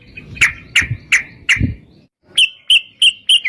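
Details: Yellow-vented bulbul in lively, fighting-style long-trill song used to lure other bulbuls into singing: four loud chirps spaced about a third of a second apart, a short gap, then four higher, clearer notes.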